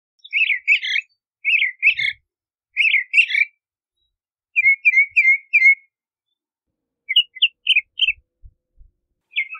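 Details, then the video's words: A Bahama mockingbird delivers spaced phrases of jumbled chirps, then a rapid even trill-like run of short notes, then a few sharp clipped notes with pauses between. "Bahama Mockingbird Song! Bahama Mockingbird Voice! - Sinsonte De Bahamas Canto - Mimus Gundlachii"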